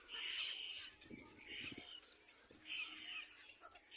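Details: Begging chicks of the little black cormorant jostle for food: drawn-out, thin squealing wheezes come in three bursts, with soft knocking and rustling sounds between them.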